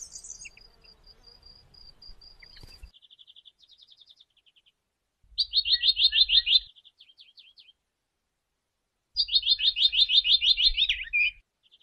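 White-browed reed warbler singing bursts of rapid, scratchy, high chattering notes between short pauses.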